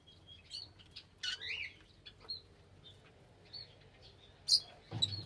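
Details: Lovebirds give a mix of thin whistled notes and raspy squawks, with a loud harsh burst near the end and low background noise.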